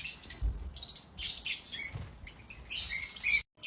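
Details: African lovebirds chirping happily: rapid scratchy high chirps and twitters in short clusters, with a few soft low bumps and a brief silent gap near the end.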